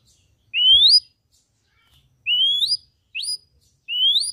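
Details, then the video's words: Red-eyed Ashy drongo giving loud, clear upslurred whistles, four rising notes about a second apart, each climbing smoothly in pitch, over near silence. "Srigunting Abu Abu Gacor Mata Merah"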